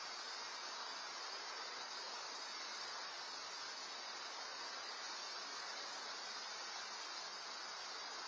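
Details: Steady broadband hiss like rushing water or wind fills the recording, with no animal calls.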